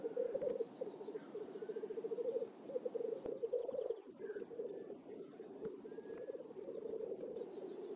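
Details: Black grouse lekking in a swamp in Oulu, Finland, on 5 May 2022 keep up a steady, low, dove-like bubbling chorus in rolling phrases, with faint higher calls of other birds behind.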